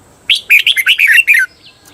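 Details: Red-whiskered bulbul, a cage bird, singing a training phrase in the Thai 'berl' (doubled) style: one quick burst of about seven rich, warbled notes lasting just over a second, dipping and rising, then quiet.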